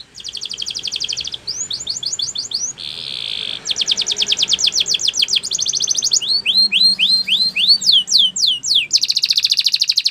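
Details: Training song of a Belgian canary, used to get other birds singing. Quick trilled tours and sliding notes change into a steady, level whistle, then more rolling trills and swooping notes, finishing in a dense buzzy roll.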